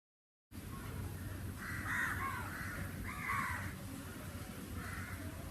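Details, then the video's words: Crow calling on a summer day: two harsh, nasal caws close together, then a fainter third, over a steady low rumble of background noise. "sounds of the Crow"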